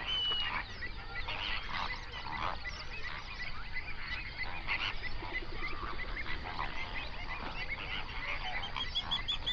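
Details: Binaural sunrise recording of a large flamingo flock on a lake in a national park, Overberg, South Africa: many birds honking and chattering at once in a steady wall of nasal, goose-like calls, with a steady low background hum.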